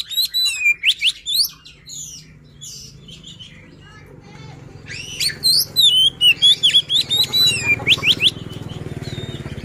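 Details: White-rumped shama luring song: rapid series of loud whistled and slurred notes, a pause with low background hum, then another fast run of sharp varied whistles, with steady low noise throughout.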